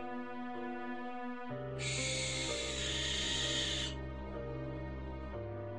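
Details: Barn owl at night gives one long, harsh, hissing shriek lasting about two seconds, set against steady background music.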